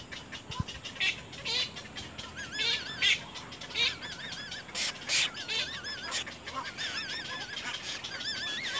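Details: Little egret chicks at the nest pecking hard at their mother; a chorus of wavy, wobbling calls repeated in quick bursts, with sharp clicks and a steady background hiss.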